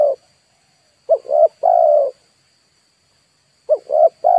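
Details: Spotted dove decoy for wild-bird luring, heard ending one coo then giving two full phrases of short, short, long mellow notes about two and a half seconds apart.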